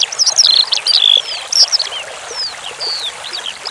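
A Eurasian skylark pours out a rapid, high, chirruping warble of buzzy trills and thin slurred whistles over steadily running water.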